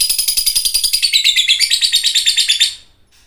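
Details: Lovebird of fighter type in full, energetic song, used to train other birds: a fast, rattling trill of shrill, high notes, about three per second, lasting under three seconds before stopping.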